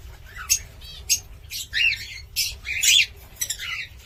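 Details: Cockatiel mixing harsh squawks with whistled chirps, interrupted by sharp clicking taps, notes coming in irregular short bursts over a low hum.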